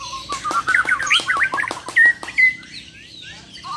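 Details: A champion Bornean White-rumped Shama from Muara Wahau, in a competitive song test, pours out rapid, varied whistles and chirps, some rising and falling, with sharp clicks between and two clear sustained whistled notes near the end.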